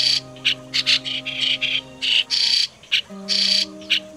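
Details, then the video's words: Lure song of migratory white-cheeked starling for 2020 bird trapping: rasping, squawky notes in uneven clusters with a short quiet gap, over low sustained hum lines. "Tiếng Sáo Đá Di Cư - Sáo Đá Đầu Trắng"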